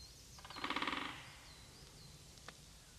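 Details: A great spotted woodpecker in a small forest in early spring drums one quick, even roll of about a dozen sharp knocks in under a second, drumming to attract a mate and mark territory. Faint thin bird calls and a single click follow.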